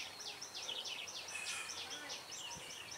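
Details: Red-whiskered bulbul of the dark-bibbed type, caught at a trap with a decoy bird on 16 September 2018, sings fighting song: quick bright whistled notes that slur downward, repeated in a fast run over a faint hiss of background noise.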